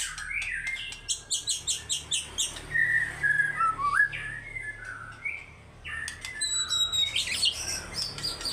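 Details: White-rumped shama in full fighter-style song showing off its repertoire: a run of even, rhythmic whistled notes, then slurred rising whistles and high sharp phrases, over a steady low hum.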